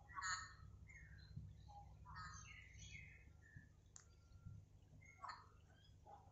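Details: Lory from a kept collection calling quietly: several short harmonic squawks mixed with rising and falling whistled notes, then a sharp click and a few more squawks over a low steady hum.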